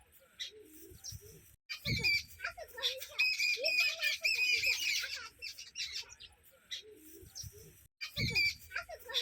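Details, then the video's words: A group of sparrows chirps busily on a red floor, with bright overlapping high chirps and squawky notes in dense bursts broken by two brief silences. "Sparrow Sweet Chirping Sounds"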